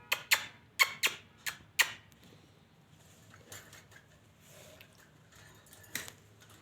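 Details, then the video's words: Lovebird giving sharp, shrill squeaky chirps, five loud ones in quick succession over the first two seconds, then softer scattered squeaks and one more loud chirp near the end, over a low background hum. "beautiful singing sound of love bird"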